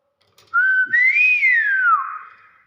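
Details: Hill myna giving one clear whistled note that rises, holds, then glides downward over about two seconds, in a quiet room.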